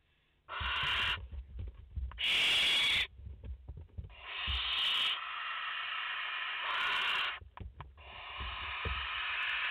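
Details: Barn owls at a nest in France, a mother with four chicks, on a live nest camera, 30 August 2021: several long, harsh, breathy hisses lasting one to three seconds each, one burst louder and broader, separated by short quiet gaps with faint rustling.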